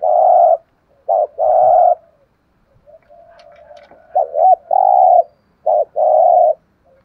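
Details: Decoy spotted dove with a 'giọng thổ' voice, calling to stir wild doves into cooing. Three phrases sound, each a quick looped note followed by a long even coo, with a faint low hum between them.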